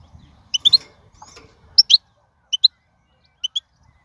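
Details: European goldfinch from the wild giving sharp, high twittered notes in quick pairs and trios, with faint low rustling early on.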